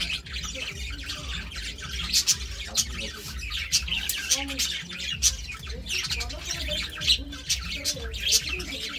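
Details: Two budgerigars chattering with dense high ticking chirps and short squeaky notes over a steady low background hum.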